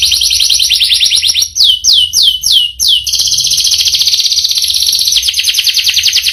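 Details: Canary performing a long rolling song: a high trill, then four or five distinct swooping whistles, then a dense, fast, buzzy roll held to the end.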